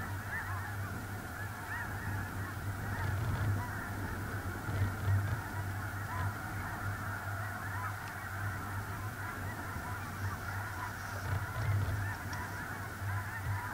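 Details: Large flock of snow geese on a small central North Dakota lake in early November 2021, many overlapping nasal honks and yelps forming a continuous chorus over a steady low rumble.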